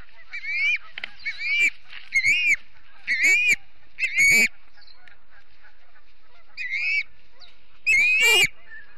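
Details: Osprey family at the Charlo nest in Montana on a September morning, 7 September 2016, caught by a live nest camera: scattered rising whistled chirps, clear and high, in short bursts with quiet gaps between.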